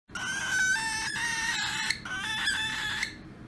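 A young cockatiel gives harsh, nasal baby calls, asking for attention or food.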